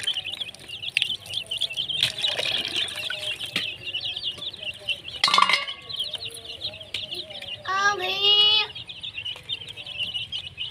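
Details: Baby chickens with a hen, a dense stream of high, thin cheeping chirps throughout, overlaid by a clattering knock, a short hen cluck sequence with stacked harmonics, and brief speech.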